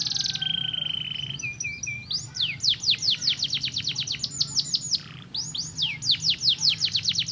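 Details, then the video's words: Singing canary used to stimulate other canaries. A brief buzzy trill and a few short notes lead into long rapid series of sharp falling whistles, briefly paused midway, then resumed at the same quick pace. A soft low hum continues beneath. "estimula muito rapidamente o som de um canário"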